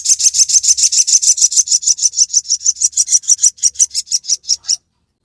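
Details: Crested jay gives a dry, high-pitched rattle of evenly spaced sharp notes, slowing slightly toward the end before stopping.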